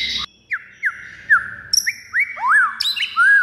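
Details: White-rumped shama singing its fighting song to incite other birds: clear, spaced whistles sliding up and down, roughly one every half second, then harsher squawky notes and a higher ringing phrase near the end.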